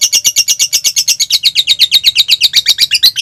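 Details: Lovebird giving konslet song, a rapid stream of shrill, buzzy chirps at about three per second. The notes are packed and steady with a slight warble. Meant to provoke other lovebirds to answer.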